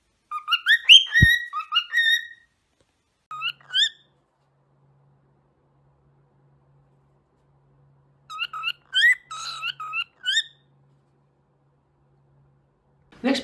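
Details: Cockatiel (Nymphicus hollandicus), song: male courtship display, impressing mates, rivals or owner.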